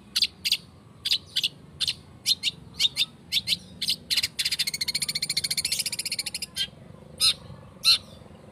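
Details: Long-tailed shrike singing, used as a lure to provoke song: sharp broadband clicks spaced about half a second apart, a dense buzzing rattle of two seconds in the middle, then more single clicks.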